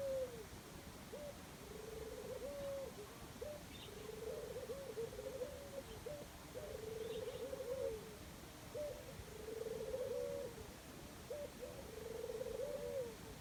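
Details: Dove in the jungle singing a steady run of low cooing phrases, each a rolling trill that opens with a quick upward note and ends level, repeated about every two and a half seconds, with a faint rumble behind.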